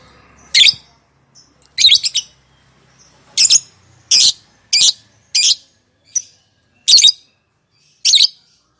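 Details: Calling lovebird, used to prompt quiet birds to answer: harsh, shrill high squawks in short bursts, about nine over nine seconds, irregularly spaced with silent gaps.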